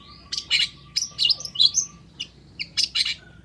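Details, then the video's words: Long-tailed shrike delivering clustered harsh chirps and thin whistled notes in short bursts about half a second apart, high-pitched throughout, over a faint steady hum. "SUARA CENDET GACOR INI"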